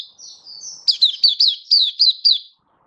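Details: Oriental white-eye (mata puteh), a hobby bird, in happy 'buka' open singing on 24 February 2023: a thin, high, sustained warble followed by about eight rapid, sharp, downslurred chirps in a quick run.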